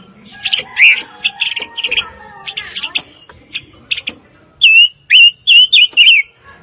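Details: Fire-tailed myzornis singing. Scratchy, jumbled high chirps and faint background sounds open the passage, then five loud slurred whistles follow close together.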